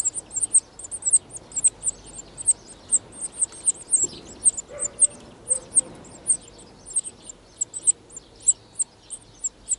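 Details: European serin nest in the wild, spring 2018, early in the breeding season: steady bursts of piercing, high-pitched chirps, several per second, continuing for ten seconds, with faint low rustling near the middle.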